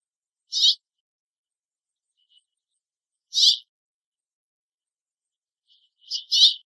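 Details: A House Finch perched in a tree in Southern Ontario, Canada, calling to its mate or companions: short, bright chirps about three seconds apart, then a quick double chirp, with silence between.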